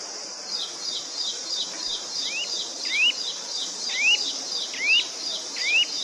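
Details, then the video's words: Bird chirping as upslurred whistled notes, about one a second, over a constant high shrill buzz and a broad background hiss. "Birds Chirping Sounds"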